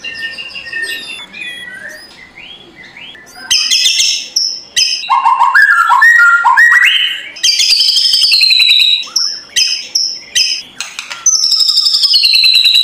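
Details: Morning song of a white-rumped shama with rough kretekan notes, played to goad an idle shama into singing; soft thin whistles open, then loud rapid swooping phrases and high sustained whistles with rattling accents.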